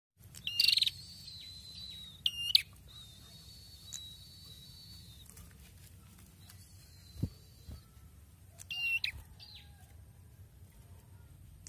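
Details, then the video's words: Red-headed prinia resuming strong song after its moult: a few buzzy, reedy phrases with clipped endings, spaced by long pauses, plus a thin faint high whistle and an occasional soft knock in the background. "PRENJAK KEPALA MERAH SUDAH MULAI GACOR LAGI SETELAH MABUNG"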